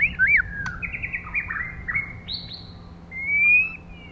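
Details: Caged female white-rumped shama used to stimulate males, singing a fast stream of whistled, slurred notes, some rising, some falling, ending in a long sweet whistle that climbs slightly; a faint low hum runs underneath.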